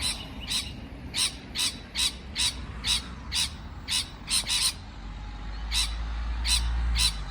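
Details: Quick series of harsh parrot chirps, about two per second, thinning out toward the end as a low rumbling background grows louder.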